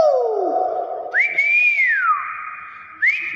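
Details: Common hill myna giving loud pure whistles: a long note rising, holding steady, then gliding down, followed by a short rising whistle; faint room echo.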